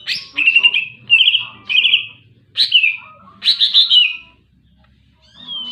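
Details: A greater green leafbird sings energetically in short, loud bursts of rapid pulsed notes, each dropping from a sharp high start to a steady chattering trill. About five phrases come in quick succession, ending with a clear rising whistle.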